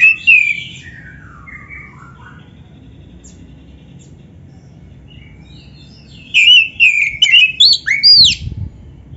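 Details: Oriental magpie-robin's prize-style song with mimicked fill-in phrases, played to prompt other magpie-robins to reply: a descending whistled run at the start, a long quiet gap, then a bright burst of warbled, rising whistles.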